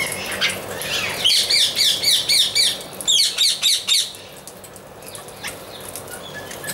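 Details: Amazon parrot giving a quick run of bright, sharp, high calls, about eight evenly spaced notes, a short pause, then another run of five, over a faint background hiss.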